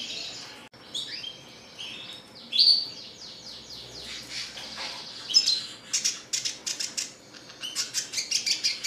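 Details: Red siskin, a classic-type bird described as singing constantly, delivers a varied twittering song: buzzy sliding phrases, then a run of sharp clipped chirps repeated in quick succession toward the end.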